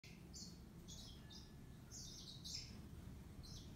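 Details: Yellow-fronted canary song, soft and fairly distant: short high, bright twittering notes and brief trills scattered across the clip over a steady low rumble of background noise.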